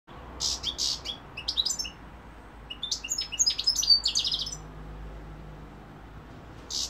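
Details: European goldfinch singing, a bright chattering run of high twittering notes and quick buzzy trills in two bursts separated by a short pause, with low room hum beneath.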